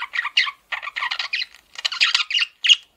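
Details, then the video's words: Male budgerigar, a domestic pet, in a quick chattering sequence of buzzy, squawky chirps grouped in short bursts with a final bright squeak. "MALE PARAKEET SOUNDS"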